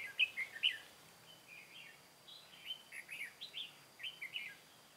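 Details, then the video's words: Trapping decoy red-whiskered bulbul from Cao Phong, 23 August 2018, sings a string of short, sharp chirped and slurred notes, two loud accents at the start then quicker repeated phrases about twice a second, over quiet hiss. "Bẫy chào mào Mồi Cao phong ra trận bắt bổi"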